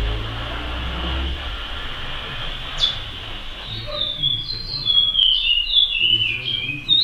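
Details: Curió, or chestnut-bellied seed finch, in praia-style song: a steady hiss with low rumbling at first, then from midway a string of bright whistled notes, each with a quick upslur and downslur, grows louder.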